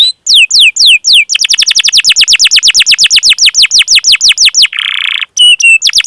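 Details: Canary in full, long-running song with cuit-cuit chirps and rolls, used as training audio to prompt young or silent canaries to sing. Loud downslurred whistled notes, then a fast series of sweeping chirps, a brief harsh buzz, more clear notes.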